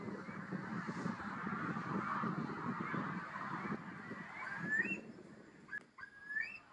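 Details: A Eurasian curlew in Deggendorf district, Lower Bavaria, Germany, gives two short, rising whistled calls near the end, each sliding upward, after a steady rush of wind or distant noise.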